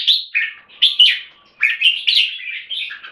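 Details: Red-whiskered bulbul from Singapore with clear keke notes: a few loud whistled phrases, falling then rising, separated by brief pauses, in a quiet room.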